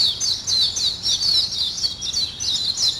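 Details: Morning birdsong: a dense chorus of high, quick chirps and twittering trills, overlapping continuously from several birds.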